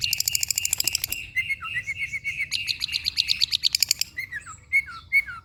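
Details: Song of a long-tailed shrike, played to coax reluctant birds into song: dense harsh buzzing chatter, then several short downslurred whistles and chirps.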